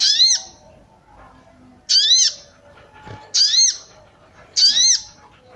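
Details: Female sooty-headed bulbul calling to arouse males, used as a training recording: short chirpy two-part notes with a high overtone and a lower curved note, each about half a second long, repeated roughly every 1.3 seconds.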